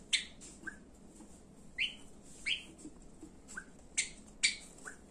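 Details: Java sparrow kept as a pet, giving a mix of sharp chips and short upward-sweeping whistled notes, spaced irregularly across about five seconds, with softer low notes between them.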